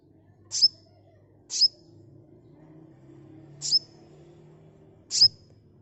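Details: Sunbird voice used to lure birds into responding fast. Four isolated, very high, sharp notes, each a quick downward flick ending in a brief thin whistle, spaced one to two seconds apart over faint low hum.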